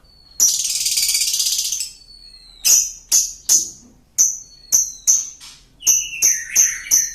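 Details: Lovebird lure recording of a long laughing song: a sustained harsh rasp of over a second, then irregular sharp high chirps and rasping bursts, with a lower descending whistle near the end.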